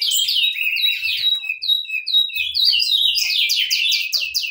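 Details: Singing saffron finches deliver a steady stream of sharp, downward-slurred whistled notes, repeated about twice a second, rising into a denser, brighter flurry of chirps toward the end.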